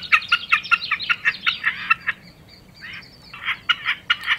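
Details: Common snipe song in broken bursts of rapid, harsh, stacked chipping notes, a quiet gap in the middle, then several more clipped notes.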